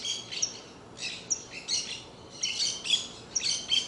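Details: Saffron finch song in short, lively chirping bursts roughly every half second, with sharp squeaky notes and brief whistled accents, loud and close over quiet hiss.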